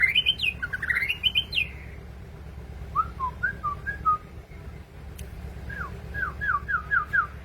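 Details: Sooty-headed bulbul, a tame bird in full song, giving bursts of bubbly, slurred whistles, a softer mid-clip phrase of short dropping notes, then a quick series of repeated descending whistles, over a constant low background hum.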